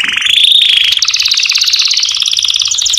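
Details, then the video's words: Canary song used to tutor young chicks: a fast, continuous, high rolling trill of rapid repeated notes, starting with a short whistled phrase and quickening into tight pulses that last throughout. "تعليم فراخ كناري على تغريد ان شاء الله اقوى صوت للفراخ الكناري"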